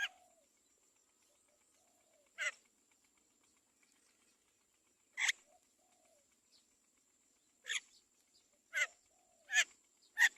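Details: Great myna chick being fed by its mother: six harsh, rasping squawks coming faster toward the end, over a steady thin high whine.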